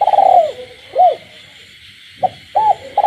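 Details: Captive spotted dove cooing at night in the Vietnamese countryside: a long trembling low coo, then arched notes and a brief short note, with a steady high chorus of frogs throughout.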